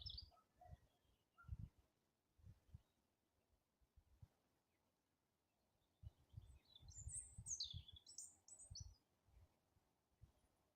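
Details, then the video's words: Wild birds in April, slowly warming up into song: high, quick twittering phrases from about six to nine seconds, after a quieter start with a few brief chirps, over repeated low thumps and rumbling background noise. "Апрель: птицы потихоньку распеваются"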